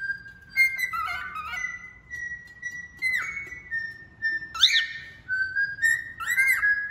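A male cockatiel whistles a varied song of long steady tones broken by quick rising and falling slurs and chirps, with faint background hum.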